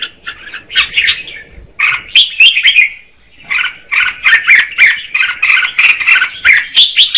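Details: A female red-whiskered bulbul sings to stimulate the male: a burst of warbling, a brief pause, then a fast, steady stream of bright slurred notes.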